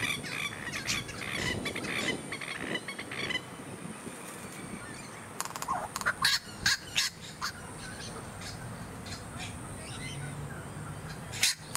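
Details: Masked lapwing, also called spur-winged plover, filmed on the Sunshine Coast, Queensland, in January 2022: harsh, sharp calls in a burst near the start, then loud staccato notes around six to seven seconds over steady background hiss.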